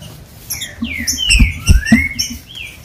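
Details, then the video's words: Green-winged saltator (trinca-ferro) song used to excite and warm up other captive saltators: clear whistled phrases, some sliding up and others swooping down, delivered in quick succession over low thumps and background noise. "TRINCA FERRO OUVIU CANTOU O MELHOR CANTO PARA ESQUENTAR FOGUEAR LEVANTAR SEU TRINCA FERRO"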